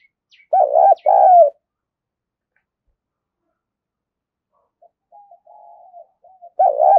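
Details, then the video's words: Spotted dove coo used as a lure to stir wild doves: a clear two-part hollow coo, a wavering note then a longer falling one, soft thin notes later, and the phrase starting again at the end. "chim cu gáy thúc và gáy gọi kích bổi hiệu quả/ tiếng cu gáy"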